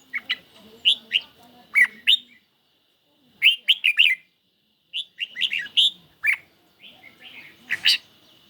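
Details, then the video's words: Caged red-whiskered bulbul dueling in song against a phone recording on a lightly sunny day; short clusters of sharp chirps separated by brief silences, ending with a loud burst. "Chim Chào Mào Của A Tủa Hót Đấu Với Điện Thoại Cực Xung"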